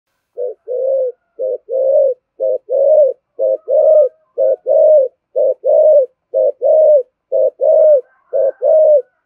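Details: Spotted dove giving a 'thổ'-voice coo used to stir doves into cooing. The low, mellow coos come in steady bursts about once a second, each a short note run into a longer throaty one, with very quiet surroundings.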